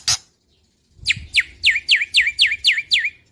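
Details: A young black-winged starling (white starling) sings in full voice, used to prompt birds that have stopped singing: a single click, then about nine sharp, high whistles, each sweeping steeply down, roughly four per second.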